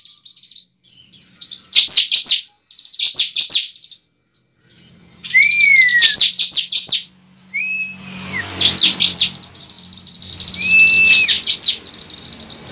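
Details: Bar-winged prinia fighting song used as a lure to make a young bird fight and sing: bursts of rapid buzzy high chirps in quick runs, with a few clear rising-then-falling whistled slurs between them and a low hum beneath.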